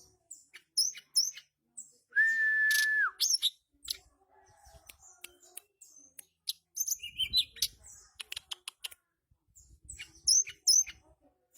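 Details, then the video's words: Chattering ngeriwik song of a mountain flycatcher (tledekan gunung): mostly rapid high chips and dry ticks in irregular bursts, one long flat whistle near the start, and a few high sliding notes. "Burung Tledekan gunung ngeriwik"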